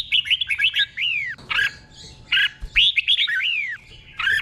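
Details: Caged Red-whiskered bulbul acting as a tutor bird, singing in the doubled 'beol' style for training other caged birds. Three bursts of bright, quick whistled notes with slurred downward sweeps, separated by short pauses, over a faint low hum.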